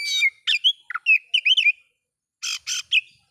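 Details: Short burst of oriental magpie-robin song used to provoke other magpie-robins: a harsh rasping note, wavering whistled slurs, then two scratchy bursts and a final whistle.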